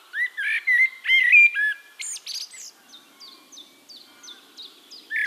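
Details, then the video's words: Eurasian blackbird song from Castricum, the Netherlands: a loud run of mellow whistled warbles ending in a squeaky flourish. Behind it another bird repeats a thin, high, down-slurred note roughly twice a second. "One Hour Relaxing Birdsong: Blackbird"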